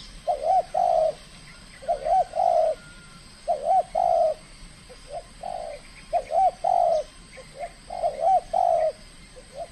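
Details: Trained captive spotted dove from the Riau Islands in its first cooing contest, aggressive and showing its skill: low hollow coos in paired or triple phrases, repeated about every one and a half to two seconds, with faint chirps from other birds.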